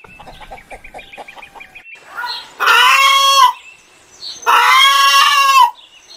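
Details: Chicken sounds: soft rapid clucking at first, then two long, loud, harsh drawn-out squawks, each lasting about a second.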